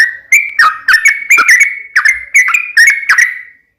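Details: Sooty-headed bulbul delivering sharp whistled notes in a steady series, each a short slurred phrase, about eight in under four seconds. The style is fighting song with uplik phrasing.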